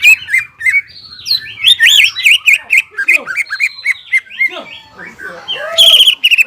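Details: Greater green leafbird in varied song meant to excite stressed leafbirds into singing: a series of rippling, looping whistles rising and falling, then downward sweeping notes and a loud ringing burst near the end.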